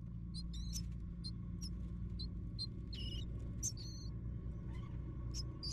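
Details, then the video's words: Three hungry baby birds in the nest begging while they wait for the parent to bring food; thin, high squeaky chirps in short bursts at irregular intervals, over a steady low rumble throughout. "Three Baby Hungry food"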